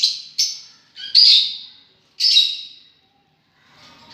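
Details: Lovebirds giving shrill, high chirps and squawks in short separate bursts, each sliding down and fading, with brief silent gaps between them.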